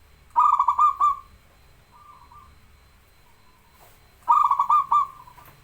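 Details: Local zebra dove in full song, used as a master recording to coax birds that rarely sing: two bursts of rapid, staccato cooing notes run into a rolling trill and fade, separated by about three seconds with a faint soft coo between.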